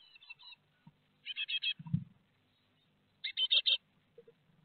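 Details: Great tit young leaving the nest in Théding, 12 May 2021, eight departures within five minutes; faint chirps, then two loud bursts of four rapid, rasping notes, with a low thud of movement between them.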